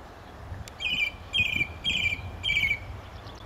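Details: May 2012 song thrush song at a gravel pit near St Albans, UK: a scratchy, buzzy phrase delivered four times at a steady pace, roughly every half second.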